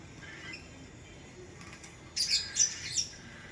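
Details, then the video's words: Lovebird giving a short burst of three or four harsh, high chirps near the end, after a quiet stretch with only faint twittering. "Lovebird Chirping Sounds"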